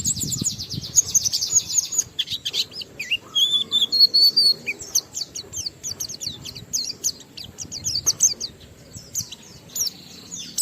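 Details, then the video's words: High rapid chattering song of an Oriental white-eye, used to stir other white-eyes into singing; dense buzzy twitters and a few clear whistled notes run on throughout, over a low background rumble. "Burung Pleci Gacor NGALAS Isian sambung Riwikan Materi Ampuh Merangsang Semua Pleci langsung Gacor"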